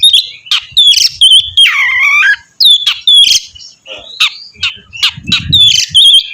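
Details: Singing Oriental magpie-robin prompting a second magpie-robin to sing. Sharp whistles and clicks frame a harsh, buzzy, descending drawn-out note in the middle, followed by short bright whistled phrases and a low rumble.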